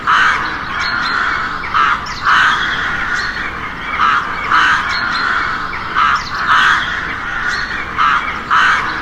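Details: Noisy crow cawing: loud, harsh, nasal caws repeated about every two seconds, steady and insistent, with no other clear sounds behind them.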